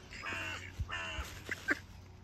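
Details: Crow visiting a feeder, one of several crows with different personalities, giving two drawn-out, harsh, harmonic caws with a brief gap between them, followed by a few short clicks and knocks, with low background noise.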